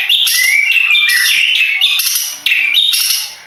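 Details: Madura long-tailed shrike, a contest songbird, delivering a dense, unbroken stream of harsh chatter laced with short rising whistled slurs, ending in several loud scratchy bursts.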